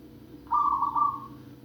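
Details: Zebra dove giving a single soft, wavering coo that falls away gradually, with a constant low background hum.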